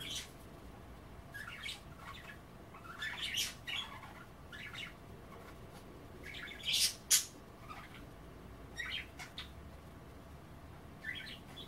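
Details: Pet budgerigars at bath time with kale, giving scattered squawky chirps and short chatter phrases separated by quiet gaps, with a couple of louder sharp notes near the middle.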